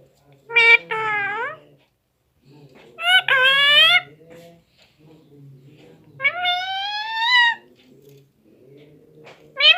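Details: Nine-month-old pet parrot, said to talk in Hindi, gives four loud harmonic utterances spaced a few seconds apart, some falling and some rising and holding, while a person speaks softly in Hindi between them.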